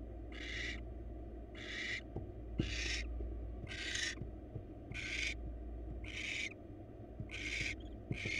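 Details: ['At a wild barn owl nest box, the male arrives with a mouse for the female; seven rasping hiss bursts come steadily about every 1.2 seconds, with faint clicks and a low rumble between them.']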